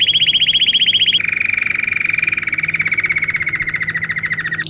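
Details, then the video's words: Belgian canary singing, a song meant to teach canaries to sing: a bright, rapid trill of quickly repeated notes that shifts after a second to a slightly lower, smoother rolling trill held for several seconds. "Canto para ensinar canário belga,Canto treinar canário belga"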